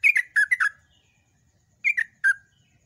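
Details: Loud ropel-style song of a Yellow-vented bulbul, recorded to train other birds. A quick cluster of four bubbly descending chirps, then a pause, then three more. A soft low rumble sits in the background.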